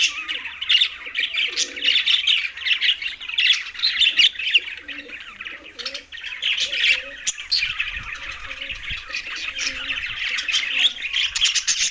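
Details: Green budgerigars feeding together keep up busy, overlapping chirps and warbled chatter, while a soft low cooing repeats quietly underneath, plus a brief fluttering rustle near the end.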